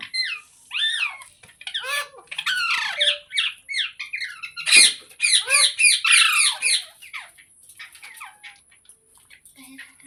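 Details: Green parrot giving scattered squeaky notes, then a rapid run of loud, harsh squawks that fades into faint calls at the end.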